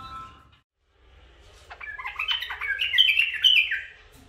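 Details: Tame caged pet bulbuls, one male and two females, sing indoors; after a short pause, a rising run of sweet chirps and squeaky warbled notes builds and ends in bright, fast twitters.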